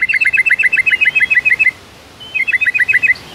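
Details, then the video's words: White-rumped shama in active morning song, varied repertoire: rapid bursts of bright, evenly spaced double notes, about a dozen per run, a brief pause, then the same rapid pattern resumes. "MURAI BATU GACOR ISIAN MEWAH INI AMPUH Bikin GACOR"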